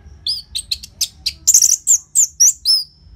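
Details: Loud orange-headed thrush song for prompting caged birds: a quick run of short high notes followed by several strong, sweeping whistled phrases, some bending up and down.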